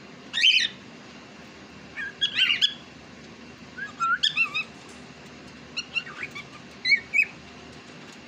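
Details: A talking pet cockatiel, said to speak Urdu, opens with a loud sharp squawk, then gives wavering whistled notes and quick chirp pairs spread across eight seconds over faint background hum.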